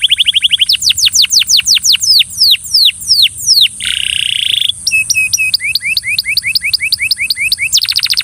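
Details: A Belgian canary sings, apparently coaxing a companion bird to sing, a fast, varied song of rapid trills, downward-sweeping whistles and a buzzy rattle, each phrase quickly giving way to the next.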